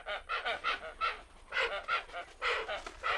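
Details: Hoatzin at Thaimaçu Lodge, Brazil, giving a run of hoarse, wheezy, nasal croaks, about two a second, in uneven bursts, with little else audible.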